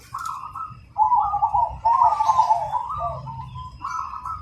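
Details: Zebra dove of the cemani (black) type, a prolific singer with a loud, clear, rhythmic voice: bubbly rolling coos in phrases, a soft opening, then a louder trilled stretch and short closing notes, with faint low background hum.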